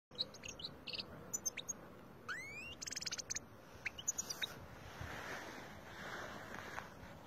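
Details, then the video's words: Wild Algerian European goldfinch recorded in 2020, singing a quick, varied twitter of high chips, rising sweeps and short buzzy trills for about four seconds, then falling quiet against a steady background hiss. "تغريد الحسون الخلوي الجزائري"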